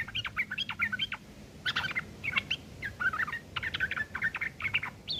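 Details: Sooty-headed bulbul in harsh ngeriwik kasar chatter, used as tutoring material for long-tailed shrikes: dense, scratchy clusters of quick notes in uneven bursts, rising and falling, with a steady background hiss.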